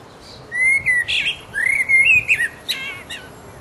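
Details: A resident blackbird sings its mating song in full voice: warbling, flute-like whistles rising and falling, with an inserted chuckling burst and a thin, high, creaky ending to the phrase.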